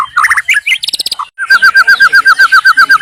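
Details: White-rumped shama singing freely in Indonesia: varied twittering notes, a short gap, then a long, fast, even series of repeated notes.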